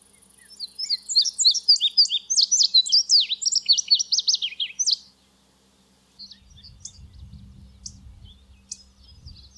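An indigo bunting sings a bright, high, hurried string of paired notes for about five seconds, followed by a few faint chips over a low rumble.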